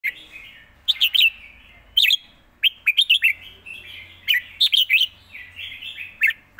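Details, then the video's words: Caged red-whiskered bulbul singing live in Thai competition style, with quick, well-phrased bursts: sharp vertical chip notes over warbled phrases, the phrases rolling at a high pitch and repeated in clusters about every second. "สด ริก"สับไว สำนวนดี#เสียงนกกรงหัวจุก"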